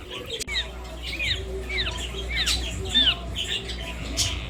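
An Indian ringneck parakeet gives a run of short, arching chirps and squawky notes, several a second, over a low indoor hum.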